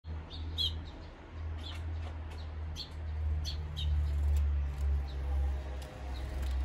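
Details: Eurasian tree sparrows, adults and chicks feeding at a bird feeder in Japan on 7 June 2023, give short, bright chirps in loose, irregular bursts, several calling at once over a steady low rumble.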